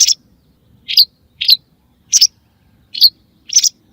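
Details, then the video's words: Six evenly spaced, sharp high chirps from a white wagtail, about one every half second. The calls are used as a sound for hunting wagtails, and the background is quiet. "صوت لصيد طيور الزعرة البيضاء"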